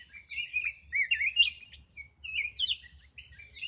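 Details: Rich, rolling whistled phrases from a black-crested bulbul, repeated in quick succession with brief breaks, each phrase twisting up and down in pitch.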